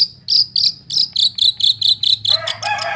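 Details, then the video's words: Long-tailed shrike, a kept bird, giving a rapid series of loud buzzy notes at a steady pace, ending in a rasping scratchy burst. "SUARA PENTET GACOR. BUAT PANCINGAN burung MANDEG BUNYi"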